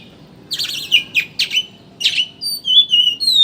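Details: Oriental magpie-robin chattering 'ngeriwik' lure song to make birds sing: a few short buzzy chatter bursts about every half second, then clear sliding whistled notes toward the end.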